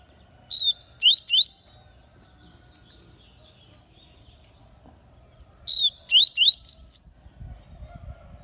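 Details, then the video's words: Papa-capim (seedeater) from Aracaju, Sergipe, Brazil, singing in the baianinho song style, described as lively and singing all day: two short phrases of clear, high, quickly slurred whistled notes separated by about four seconds of silence. "Papacapim baianinho soltando uns cantinhos"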